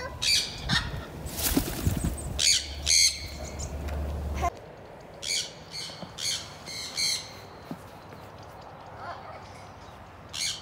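Sun conures give loud, harsh screeches in short repeated bursts, piercing and high-pitched.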